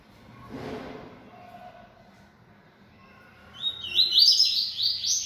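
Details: A captive, feisty yellow-bellied seedeater singing: after a quiet start with a soft low smear, a bright, rapid, buzzy warbled phrase of high notes bursts in at about three and a half seconds and runs to the end.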